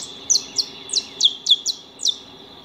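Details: Saffron finches (Sicalis flaveola) feeding at a house give seven bright, high chirps, each sliding steeply downward, spaced irregularly, with a constant faint high-pitched tone behind them.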